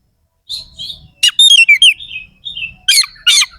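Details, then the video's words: Brief stretch of Oriental magpie-robin song with rough fill notes: soft warbles, a run of sweet descending whistled slurs, then two harsh buzzy bursts. "Suara kacer gacor NEMBAK ISIAN KASAR/Bikin semua KACER jadi EMOSI"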